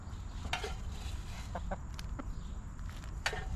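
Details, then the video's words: Chickens in a backyard coop; several brief, soft clucks and clicks spread across the moment, set against a steady low rumble. "Rooster Crowing! Hens Clucking!"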